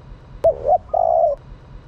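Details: Female spotted dove giving a call meant to stimulate males: two soft, short coos run together, followed by a long, steady, mellow coo that fades gently.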